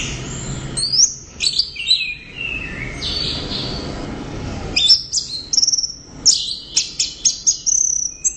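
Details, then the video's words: Orange-headed thrush singing loudly and persistently: a rich, varied run of high whistled and slurred notes, a quieter pause near the middle, then bursts of quick, sharp repeated chips and thin rising whistles. "ANIS Merah Gacor Volume Keras"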